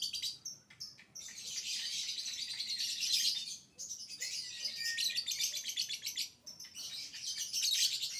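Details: Juvenile lovebird in full 'biola' style song, used to draw other lovebirds into singing: near-continuous shrill, scratchy chattering in long rasping runs, pausing briefly twice before resuming.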